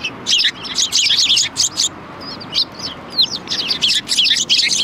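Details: Near-continuous twittering from a group of sparrows at a Tenmangu shrine on 4 March 2020, with overlapping high chirps and swooping notes filling almost five seconds.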